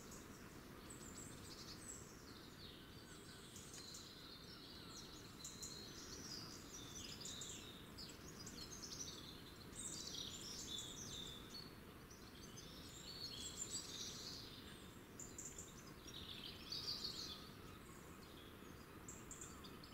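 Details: Several birds sing and chirp in high, twittering bursts over a steady low background rumble in a forest, recorded on January 25, 2019.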